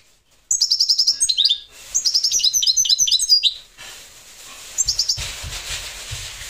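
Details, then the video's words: Parva goldfinch pouring out fast liquid twitters and chirps in two quick phrases, then a short burst of notes, with a background hiss and low thumps near the end. "Chardonneret parva"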